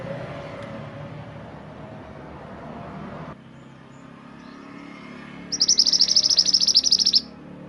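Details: After several seconds of low background noise, a Mantenan gunung bird bursts into a loud, rapid trill of high, evenly spaced notes lasting about a second and a half; recorded as master song for songbird training.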